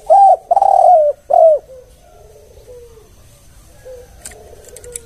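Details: Three loud coos from a spotted dove, the kuk-one lure style: a short note, a long sustained one, then a descending one. Soft fading coo fragments follow, and thin high chirps appear near the end.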